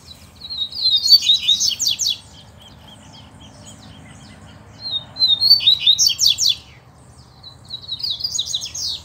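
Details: Competing double-collared seedeaters, caged birds against a free male: three separate song phrases, each opening with whistled notes and breaking into rapid, buzzy, descending trills, with pauses of a few seconds between them.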